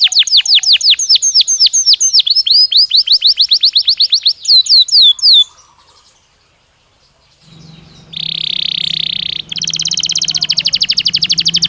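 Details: Belgian canary stimulus song for training a bird to sing more. Rapid rolling trills end in a few downslurred notes, a pause, then a dense buzzy trill over a low steady hum and a final fast roll.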